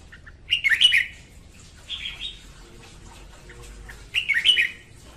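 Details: Female red-whiskered bulbul morning song, played to train birds to sing and to lure them into traps; three bubbly whistled phrases, the first and last loud and rolling, spaced about two seconds apart.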